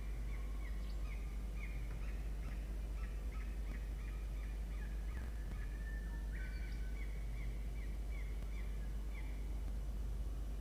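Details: Peregrine falcon chicks in a nest box on a university campus in Orange, New South Wales, Australia, 17 November 2021, one chick biting another; repeated thin, drawn-out squealing calls in quick series, some sliding downward, over a steady low hum.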